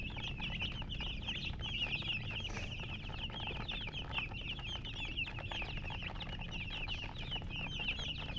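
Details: A crowd of baby chicks chirping nonstop, high thin peeps and descending whistles packed closely together, steady low background noise throughout.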